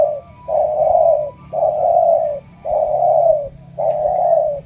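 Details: Spotted dove from Ca Mau, a selected 'đồng' bird with strong cooing, giving four long, even, low coos of about a second each, separated by brief pauses, over a faint steady hum.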